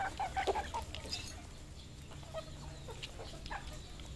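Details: Red junglefowl kept on a farm in Cambodia; a quick run of short clucks opens, then sparse softer clucks follow amid a noisy farmyard chorus.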